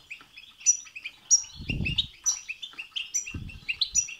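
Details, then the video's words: Short burst of European goldfinch song for stimulating a goldfinch to sing: rapid twittering with high clear notes roughly every half second, two low thumps behind. "بتبتة وستستة تخرج الحسون عن السيطره..... هيجان خرااافي تسببه هذه البتبتة نار على نار سيغرد حسونك"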